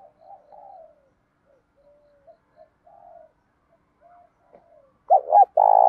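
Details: Spotted dove song in the 'giọng đồng pha tí thổ' voice, played to train and provoke doves; faint soft coos at first, then a loud phrase of two quick hoots and a rolling coo begins near the end.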